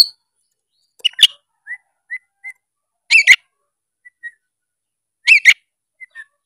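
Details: Oriental magpie-robin, 'narung'-style singer used to set off silent birds: sparse phrases, with three rough harmonic bursts roughly two seconds apart and soft short whistles between them in near silence.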